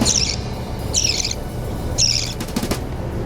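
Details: Budgerigar chicks begging while being hand-fed: three harsh, raspy, high chirps at roughly one-second intervals, with low background hum and a burst of fluttery rustling near the end.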